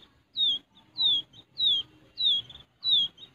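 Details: A wild quail chick being hand-raised in captivity gives high, thin descending peeps, about five in three seconds at a steady pace, over a faint low background murmur; its call is used as a lure.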